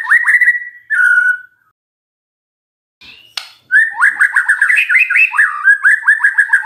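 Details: Magpie-robin song used as a lure to make a silent bird answer: rich whistled phrases around mid pitch, a slurred descending note, a pause, then rapid repeated chattering whistles with upper harmonics.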